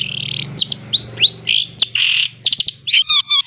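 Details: Hand-reared captive long-tailed shrike, fed insects twice daily and mastered with mp3 recordings, pours out a varied high song of upswept whistles, harsh buzzes and a closing trilled rattle, crowded and continuous.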